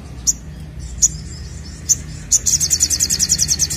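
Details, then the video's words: Ashy drongo singing loudly in rapid-fire fashion to prompt other birds to sing: three spaced sharp high chips, then a fast rhythmic high trill of about fifteen pulses over a low hum. "SOGOKONTONG Gacor Nemb4k l Untuk Pancing Bunyi"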